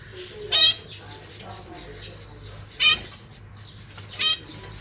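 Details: Zebra finches kept in a cage with newly hatched and juvenile young, 1 May 2023, parents busy feeding. Three loud, nasal, harmonic calls stand out about every two seconds above soft chatter and hum.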